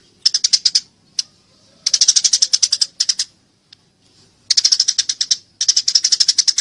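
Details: Eurasian tree sparrows fighting: bursts of rapid high chirps, each about a second long, separated by quiet gaps and one isolated chip.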